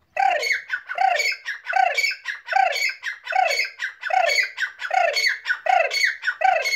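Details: Loud, harsh Grey francolin calling: squawking multi-part notes repeated in a steady rhythm, roughly one every 0.8 seconds, continuing without pause throughout.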